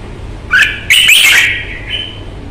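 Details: Red-whiskered bulbul, Vietnam, valued for its combative nature and very fine voice: a rising whistled note, then a loud slurred warble, and a thin sustained whistle to finish.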